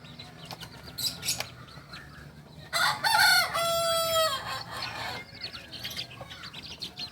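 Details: Young Kokok Balenggek rooster, a singing chicken from Solok, West Sumatra, gives a moderately loud crow of about one and a half seconds, a rough start leading into a steady held note, amid noticeable background hiss and distant calls.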